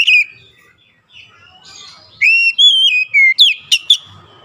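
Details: Magpie-robin song used as a lure to draw song from reluctant birds: after a quiet stretch of soft background twitters, a run of clear, loud whistled notes, some falling, ending in short sharp chips.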